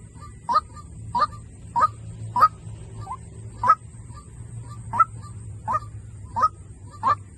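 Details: White-breasted waterhen calling as a decoy, about ten punchy nasal kwak notes at an even beat, one weaker lower note in the middle, over a low droning background and faint high hiss.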